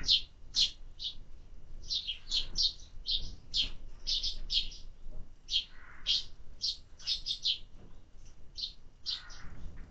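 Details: Summer-fed sparrows chirp steadily, about two short high notes a second, irregularly spaced and sometimes doubled, with faint low background rumble.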